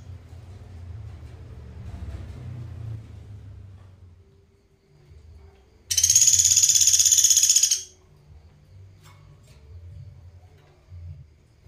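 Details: Pelatuk beras from Sampit, a master recording for training songbirds: after quiet low rumbling, a single loud, fast, machine-like high trill of about two seconds, then near silence.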